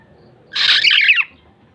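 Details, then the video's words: Black-naped oriole, or kilyawan, giving a short scratchy squawk that wavers and slides downward at the end, over a quiet background. "SOUND OF BLACK-NAPED YELLOW ORIOLE/KILYAWAN"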